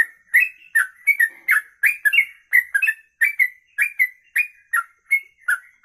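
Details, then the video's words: Kongslet-style song of a sooty-headed bulbul. A long, fast string of bubbly whistled notes, each sliding up or down, comes nearly three times a second, with thin high ticks accompanying most notes. "Trucuk Kongslet Ropelan Panjang"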